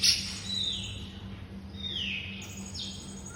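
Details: White-rumped shama master song for training songbirds: soft, high whistles that slide downward in long slurs, repeated twice, faint against a steady low hum.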